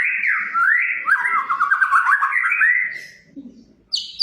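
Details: A chatty White-rumped shama of the Medan type, used to provoke other shamas into song: a long flowing phrase of whistles and quick stuttering trills, a brief lull with low noise, then a sharp high note.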